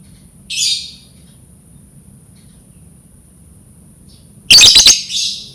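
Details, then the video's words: A short raspy lovebird screech, a long pause, then a rapid stuttering burst of three or four harsh notes trailing into a rougher squawk; meant to lure lovebirds into learning song. "Suara lovebird Memancing burung lovebird belajar berkicau"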